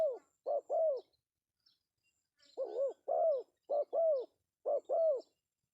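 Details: Male spotted dove giving a pesom-style call used as a lure: low, arched coos in close pairs, three pairs in quick succession after a short pause, with faint high chirps from other birds.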